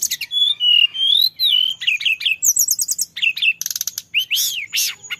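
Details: Lure recording of a male orange-headed thrush in full rolling song, mixing long sweet whistled notes with chattering trills, sharp high chips and arched swooping phrases delivered in quick succession.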